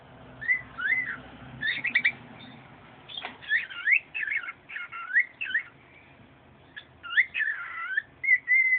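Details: Pet singing bird in a home, long run of whistled, looping warbles and slurred notes in several bursts, ending in a level whistle; quiet indoor background.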